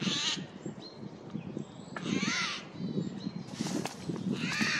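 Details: Eurasian jay in a forest on 15 April 2024, flying from one tree to another, gives loud, harsh, raspy screeches: four bursts spaced about a second apart, over low background rumble.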